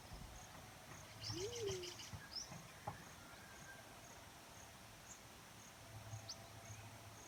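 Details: Single low hooting coo from a black-chinned fruit dove, rising briefly then falling away. Scattered high thin chirps and insect noise fill the background.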